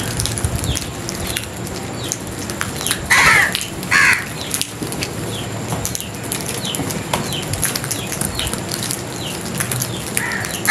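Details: Two loud, rasping crow caws come close together midway through, set against constant background hiss and faint flapping or rustling.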